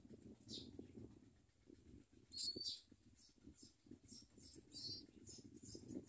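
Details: Common myna chicks eating food brought by their mother, giving short, high, hissy squeaks in irregular bursts, one louder shrill note midway, over soft low rustling and scraping from movement.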